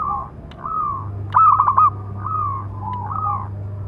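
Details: Local zebra dove with a big voice, recorded as a calling song to train and provoke other doves: one loud burst of quick pulsed coos ending in a rolling trill, surrounded by softer, drawn-out cooing and a low steady hum.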